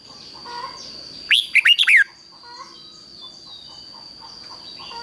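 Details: Decoy red-whiskered bulbul singing to attract wild birds: one brief burst of five quick, sweet warbled notes, then quiet with a faint continuous high tone and soft background sounds.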